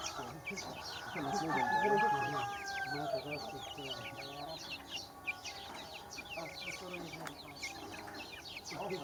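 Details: Baby chickens chirping in a steady stream of high, thin peeps, while a low, drawn-out harmonic voice sounds early on.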